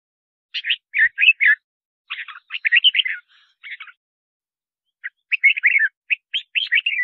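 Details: Red-whiskered bulbul singing to call in wild birds for trapping and to train singing voice; busy runs of bright chirped, warbling notes in rapid bursts, with brief gaps between phrases and no other sounds.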